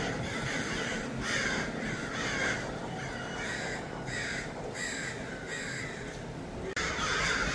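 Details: A flock of crows in Los Angeles gives loud, harsh caws in uneven bursts, several birds overlapping, with short gaps between volleys and a steady low background hum.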